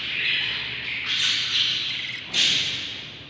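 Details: Budgerigar chicks inside the nest, seven babies from a breeding pair on day 38; harsh raspy begging squawks, sustained and overlapping, with louder bursts near one and two and a half seconds.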